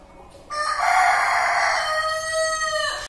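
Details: A male Kadaknath chicken (rooster) gives a single loud, drawn-out crow lasting about two and a half seconds, harsh and strained, holding steady before cutting off abruptly.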